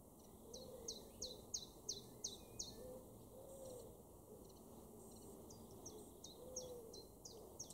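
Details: Common chiffchaff in a garden at Weener, East Frisia, far northwestern Germany, July 2023: a run of quick, high, downslurred notes, a short pause, then another run, with soft lower warbling in the background.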